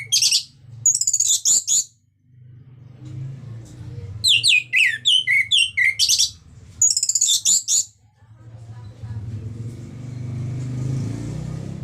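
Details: Orange-headed thrush's ngeplong song, used to prompt other birds to sing. Bright bursts of high warbled and swept notes come in three groups, then fade into a steady low rumbling noise.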